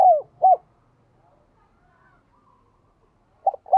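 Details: Spotted dove cooing, played to get newly caught caged doves to coo: two short, full mid-pitched coo notes open, then a long silence before two more coos at the end.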